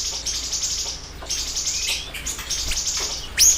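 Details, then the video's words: Singing siri-siri bird, meant to lure and teach other birds: smeared bursts of very high chirping, with a faint lower twittering note and a sharp rising whistle at the close. "Pancingan Dan Masteran Burung Siri Siri Gacor Dor"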